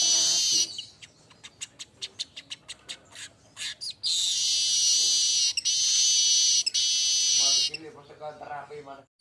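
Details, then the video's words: Singing streaked weaver, golden-headed manyar: a fast series of dry clicks and ticks roughly a dozen strong, then a long continuous buzzing hiss broken by brief gaps, closing with low chattering notes. "SUARA ASLI BURUNG MANYAR UNTUK MASTERAN DAN PANCINGAN"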